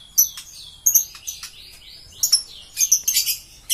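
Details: Green series lovebird: sharp, high chirps and short twittering notes in scattered bursts, with a few rising and falling whistled slides, building into denser chatter near the end.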